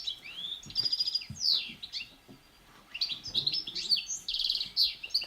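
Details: A European goldfinch, a non-migratory bird, at a countryside school in the Yonne sings a fast, tinkling jumble of high twitters, buzzy trills and liquid chirps, with short pauses between bursts.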